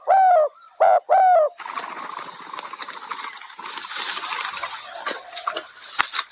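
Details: Spotted dove giving three loud, low, husky coos in quick succession at the start. Rustling, broadband background noise follows, with muffled sounds and a sharp click near the end.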